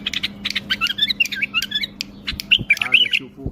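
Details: Tame male bulbul kept in Baghdad, Iraq, singing during a wing-flicking display: quick, bright warbled notes in dense runs of short phrases, over a steady low hum, with a man talking just before and after.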